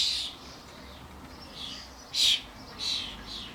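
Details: Common starlings (Sturnus vulgaris), adults with their fledglings at a garden bird feeder with suet blocks: harsh, hissing screeches in short bursts, one louder rasp near the middle, amid general birdy commotion.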